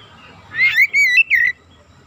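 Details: Short Oriental magpie-robin phrase, a lure to excite other magpie-robins: three clear whistled notes, the first swooping up, the last slurring down, over a low hum.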